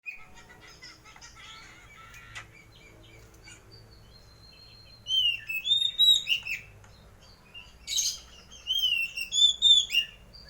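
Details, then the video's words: White-breasted Oriental magpie-robin singing actively in the open, loud ngeplong style, kept for home entertainment; quiet faint chirps at first, then bright whistled phrases, slurred rising and falling notes with sharp chips in quick bursts. "Burung Kacer gacor (dada putih ngeplong)"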